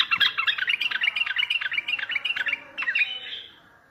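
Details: Bulbul singing strongly, used to set silent birds singing and to attract other bulbuls for trapping. A dense, unbroken stream of fast warbling notes continues for three seconds, then fades.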